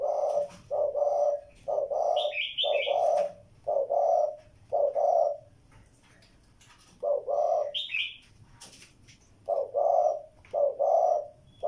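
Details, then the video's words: Spotted dove calling in paired low coos, a short note then a longer one, repeated in bursts with a pause midway; thin high chirps from another bird appear twice. "Cu gáy"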